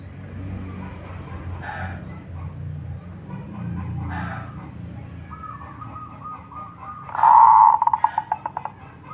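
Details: Local zebra dove, an Indonesian songbird, delivering its song: quiet cooing murmurs, then a steady level note leading into a loud bubbling coo followed by a run of short repeated pulses.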